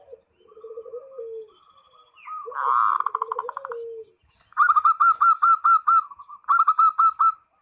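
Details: Zebra dove calling a rival as a lure bird. Soft coos lead into a loud buzzy roll, then a crisp series of clipped, evenly spaced staccato notes rattles out rapidly to the end.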